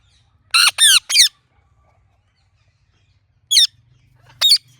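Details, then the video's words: Ringneck parrot chirping naturally: three quick harsh screeches in a burst, a long silence, then two single raspy squawks spaced about a second apart, with a soft low hum beneath. "Ringneck Parrot Natural Chirping Sounds"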